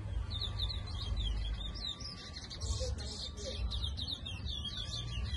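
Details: Brown towa towa, a seed finch from Guyana kept for song, delivering a rapid run of high chirping, slurred notes in a continuous warble, with strong low rumbling noise and a faint steady tone beneath.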